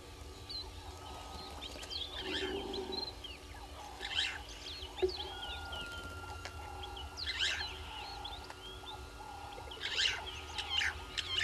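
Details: Egyptian goose at Gowrie dam waterhole, Djuma Game Reserve, Sabi Sand, South Africa, at 05:57 on 09/05/21, giving harsh, rasping honks in short bursts every two to three seconds, with faint chirping of other birds and a steady electronic hum.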